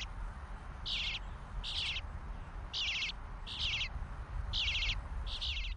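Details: Bluebird fledglings being fed by their father: short buzzy, rasping begging calls repeated about every second, six bursts over a steady low background rumble.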